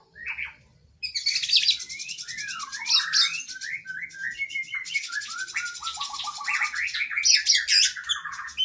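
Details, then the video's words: Cage-bird training song of an oriental magpie-robin, or kacer: after a short opening note, a dense flow of high buzzy chatter over rising and falling whistled slurs, long varied phrases with a faint low hum underneath. "Masteran Burung kacer Gacor isian Panjang Paling Ampuh"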